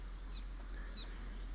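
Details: Barn Swallow perched on a wire in a small village in the central Portuguese countryside, summer breeding season, gives two high, thin chirps about half a second apart, each sweeping up then dropping, over low wind rumble.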